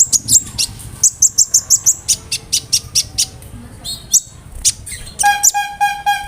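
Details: Konin bird tutor song with cricket, brem, kamade and rambatan imitations; a steady series of sharp high chips about every third of a second, a pause, then a buzzy harmonic nasal note repeated several times.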